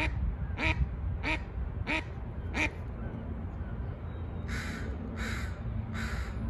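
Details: Mallard quacking four times in an even run, followed by several broader, breathier notes, with a steady low background rumble throughout.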